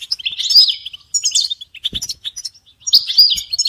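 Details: European goldfinches in a group chirping recording of mating and readiness calls used to stimulate caged males to sing: bright twittering bursts with buzzy trills, separated by short pauses, one low thump midway.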